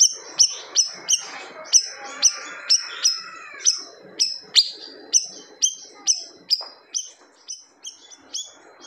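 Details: Loud singing siri-siri bird, its song said to silence rival birds: a long string of sharp, high, down-slurred notes, evenly spaced, with a brief warbled blur near the start and fading slightly toward the end.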